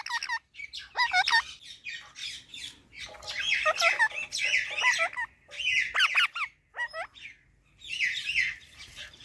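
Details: Talking parrot chattering indoors in rough, squawky bursts with a voice-like quality, separated by short pauses.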